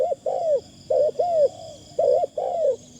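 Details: Decoy spotted dove calling with a light, thin cooing phrase: pairs of low hollow coos, a short note followed by a longer drawn-out falling one, repeated three times about once a second, with a faint background hum.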